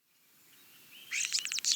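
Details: European starling song, from a species known to mimic others: a thin rising whistle, then a fast, harsh jumbled burst of clicks and rattles.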